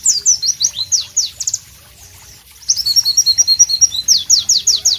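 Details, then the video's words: White-eye, or Pleci, singing loud and sharp amid tropical ambience: a burst of quick high whistles, a brief silence, then a buzzy trill and renewed sharp descending notes. "Masteran Pleci Bird Sounds Loud, Sharp and Melodious"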